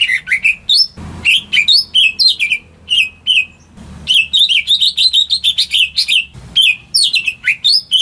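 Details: Greater green leafbird kept at home, singing to lure silent birds into song: rich, varied whistled phrases swooping between high and mid pitch in rapid bursts, broken by short pauses and brief low thumps.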